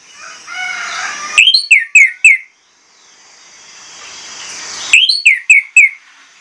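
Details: Orange-headed thrush delivering a persistent lure song that unloads its repertoire to set other birds singing. Two runs of four or five sharp, slurred whistles, each run a few seconds apart, over faint background hiss.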